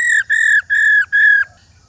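A female white-browed laughingthrush gives four loud, steady, slightly nasal notes, each about a third of a second, in an even rhythm.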